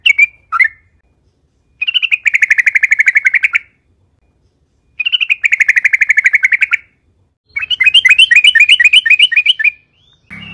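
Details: Lure recording of a yellow-vented bulbul singing: two short chirps, then repeated buzzy rapid trills of about two seconds each, separated by silences, closing with a bubbly chattering run.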